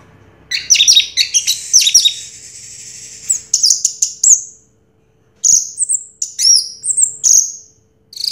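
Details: Orange-headed thrush, a first-place champion singer of 2022, gives bright, varied high whistles and sweeping chirps in quick bursts, then a short silence and a run of clear downslurred whistled notes.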